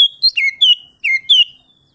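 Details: Oriental magpie-robin, 'ngeplong' song meant to call and anger a rival: five rich whistled notes within two seconds, each sliding downward, the last drawn out and fading.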